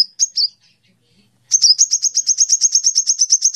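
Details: Canary song in a combination style with great tit and hummingbird phrases: a few high whistled notes, a short pause, then a fast, even trill of sharp high chirps repeated about three times a second, clean with no other sounds.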